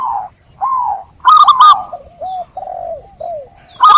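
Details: Zebra dove of local stock giving a clear, lively song meant to set other birds singing: soft low coos lead into two loud, ringing notes, then gently falling coos and another loud note at the end.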